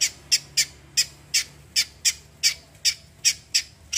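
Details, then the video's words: Cucak kombo, also named kecial kombo, repeating loud, harsh, scratchy squawk-like notes about three each second in an even series, clear and close. "CUCAK KOMBO KECIAL KOMBO ROLL TEMBAK GACOR COR"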